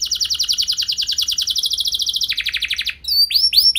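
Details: Canary song used to get other canaries singing long rolls: rapid rolling trill that shifts lower midway, then a few upward-curving whistles at the end.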